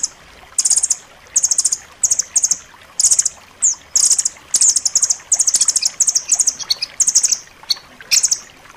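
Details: Striated grasscreeper, song meant for tutoring caged songbirds: tight, sharp, very high trilled bursts about half a second long, separated by short pauses, some quick rising whistled notes between them.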